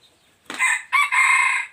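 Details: Red junglefowl rooster, three years old, recorded 26 January 2023, giving a short crow: a harsh opening burst, a brief break, then a sustained rough harmonic note fading at the end, all in under two seconds.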